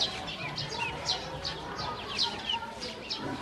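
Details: Domestic ducklings, hungry, taken to feed and drinking water, calling in a chorus of bright, short, downward-sweeping peeps about every third of a second, some overlapping.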